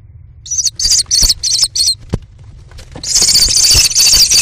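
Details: American kestrel chicks at a nest box cam, four young crowding the window as the mother brings prey; short bursts of shrill, harsh high screams, then a continuous loud screaming from about three seconds, with knocks and thumps in the box.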